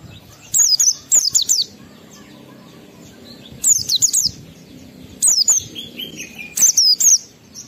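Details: Song of an Oriental white-eye in full voice, forest-style song with mimicked phrases, played to excite other white-eyes and trigger their breeding urge: four clusters of sharp, very high, downward-sweeping chirps separated by short pauses, plus a faint lower whistle.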